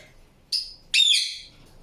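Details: Indian ringneck parakeet uttering two short, high, harsh notes, the second longer and shrill with a thin whistled edge, separated by a brief silence.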